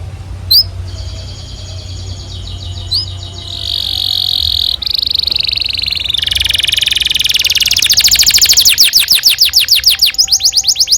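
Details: Canary song used as a training recording for young canaries to learn from: steady high whistled tones, then buzzy sustained trills, building into a loud, fast series of sharply repeated notes toward the end.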